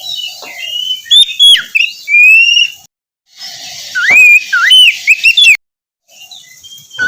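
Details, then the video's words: Morning Oriental magpie-robin song used to encourage a reluctant bird: drawn-out whistles and curling upslurs with clipped high notes, broken by two short silent gaps and a constant faint hiss. "terapi pagi cocok untuk mancing kacer malas bunyi agar cepat gacor"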